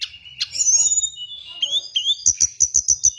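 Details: Lure and training recording of hill blue flycatcher: sweet high whistles, long and gently falling, ending in a run of about seven rapid, evenly spaced sharp ticks.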